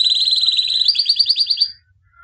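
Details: Albino white canary, 2017 champion, trained to sing: one continuous quick trill of bright repeated notes, stepping slightly higher midway before stopping abruptly into silence.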